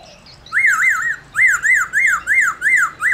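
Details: Black-throated laughingthrush's 'réo' song used to excite other laughingthrushes: loud, buzzy-edged arched whistles, each rising and falling, delivered in tight pairs and triplets with short pauses between.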